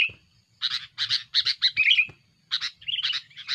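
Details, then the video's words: Noisy, aggressive sooty-headed bulbul song aimed at rivals and used as a lure: groups of grating chattering notes, a bright twisting whistled phrase in the middle, then more chatter over a faint hum. "suara burung kutilang gacor"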